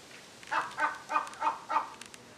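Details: Crow visiting a Humboldt penguin enclosure, calling insistently at the penguins: five harsh, nasal caws spaced about a quarter second apart, evenly repeated.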